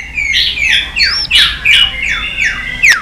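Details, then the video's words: White-rumped shama in a many-voiced fighting song meant to provoke a rival: rich, loud whistled phrases that swoop down steeply, about five in three seconds, with a few higher thin notes between. "chòe lửa hót nhiều giọng kích bổi hót đấu"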